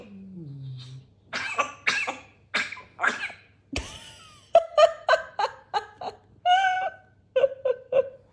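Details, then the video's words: Grey parrot in Slovakia imitating coughing: a quick run of about a dozen harsh, hacking cough sounds, some with a squeaky, nasal edge, after a brief low human voice. "Grey Parrot Encounter Imitates Cough Sound"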